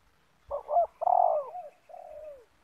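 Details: Spotted dove of the banggo type in a yard facing a wild rival: a hoarse two-part coo followed by a longer falling drawn-out note, clear and close.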